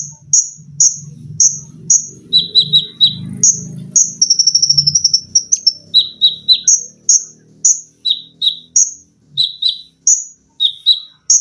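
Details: Olive-backed sunbird in a training recording for cage birds: steady sharp high chirps, bursts of lower doubled notes, and a rapid sewing-machine-style trill near four seconds, over a soft low murmur of background sound.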